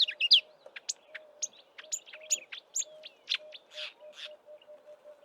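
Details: Close wild marsh warbler in Eastern Cape bush during March, before its northward migration, weaving in imitations of southern African birds: separated sharp high chips, clicks and short buzzy notes in a varied sequence, over a faint steady low hum.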